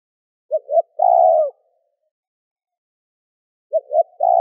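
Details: Spotted dove coo used to stir wild doves to answer: two quick hollow notes and a drawn-out falling coo, a long silence, then the next phrase begins. The background is silent.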